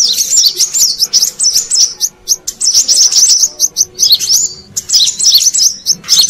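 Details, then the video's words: High, quick chattering of a brown-throated sunbird, used to attract wild birds; short looping whistled notes run together in rapid bursts with brief breaks. "Suara Pikat Burung Kolibri Kelapa Manggar"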